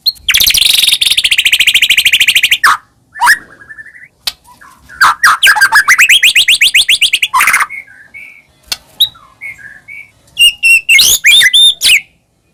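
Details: Medan white-rumped shama in full song used as a lure: a long harsh buzzy rattle, then a rapid rising trill, scattered soft whistles and a closing series of sharp high notes.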